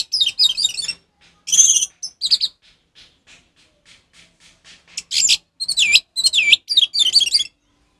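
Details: Orange-headed thrush song, ngeplong style, for tutoring a caged thrush that has gone quiet: jumbled high chirps and a few soft ticking notes, ending in loud, varied, swooping whistled phrases.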